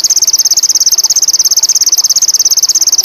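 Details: Sogon indigo, a bird in high mating condition, giving a continuous high-pitched trill of rapid, evenly spaced buzzy pulses at around ten per second.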